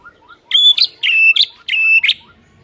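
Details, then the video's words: White-rumped shama singing in the morning to make a rival shama answer: three loud phrases, each a steady whistled tone followed by a harsh rising flourish, evenly spaced with brief pauses. "5 DETIK DI PAGI HARI SIAP BIKIN MURAI LAWAN AUTO NARUNG & GACOR SEKETIKA"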